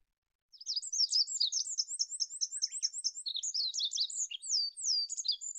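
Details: Olive-backed pipit song of high, rapid twittering that settles into a run of evenly repeated sharp notes, then breaks into varied slurred whistles, all thin and bright.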